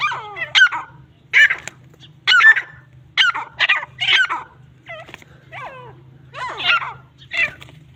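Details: Fighting grey francolins, known locally as teetar, give loud, ragged, squealing notes with bent and falling slurs, in scattered bursts separated by short pauses, above a constant low mechanical hum.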